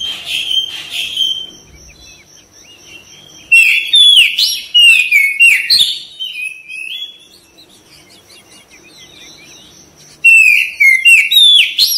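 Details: Gacor singing of an Oriental magpie-robin: bursts of sharp whistles, trills and downslurred notes, broken by a quiet pause of several seconds, over a constant high-pitched whine.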